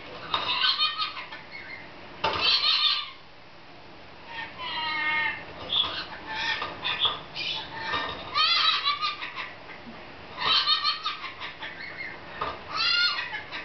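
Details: A pet female lorikeet "laughing" in play after discovering a new playground gives bursts of harsh, screechy chatter with squeaky, rising notes, spaced every couple of seconds between brief pauses.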